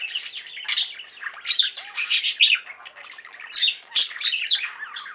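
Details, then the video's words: Singing flock of pet budgies giving a continuous twittering warble, broken by several loud, sharp squeaks and chirps at irregular intervals. "Most Beautiful Budgie songs Ever: Budgies singing and chirping"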